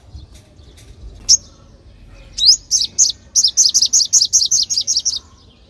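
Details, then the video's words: A sunbird, used as a lure call for young birds, gives a rapid run of about a dozen thin, high, downslurred chirps, five or so per second, after a single opening note; faint background hum. "Tiếng hút mật 5 màu"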